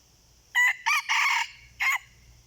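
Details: A wild red junglefowl answering a decoy gives one crisp crow in four pieces: two short bursts, a sustained harsh phrase, and a short clipped ending after a pause. The surroundings are otherwise still.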